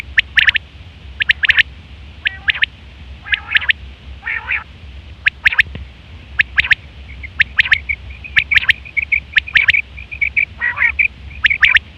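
A female quail gives short, sharp, scratchy chirps in quick irregular bursts, several per second at times, with a low steady hum underneath.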